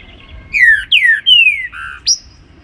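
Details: Morning song of a trinca-ferro in the Baruc style: a phrase of loud, rich whistles, three slurring down, then a short lower note and a sharp rising flourish to finish, over a quiet background.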